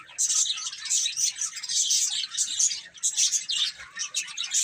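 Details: Baby chickens eating and playing; a dense, continuous chorus of high, thin overlapping peeps from many chicks, pulsing in bursts with short dips between them.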